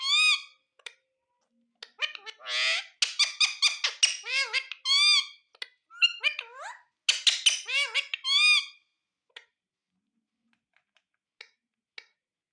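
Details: Ringneck parrot talking, dense run of squeaky speech-like syllables and buzzy swoops over about nine seconds, rich in harmonics, then tapering to a few isolated clicks and chirps; quiet room otherwise.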